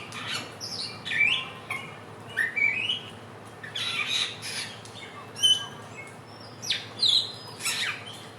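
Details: Trotolan-style lure song of a Helmeted friarbird, called the bird of 1001 voices and native to West and East Nusa Tenggara: loud rising and falling slurred whistles and squawks, repeated in uneven bursts about every second.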